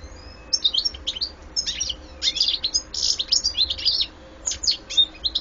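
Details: A European goldfinch delivers bursts of quick, chattering, high twitters and trilled notes in several phrases, separated by brief pauses, over a steady low hum.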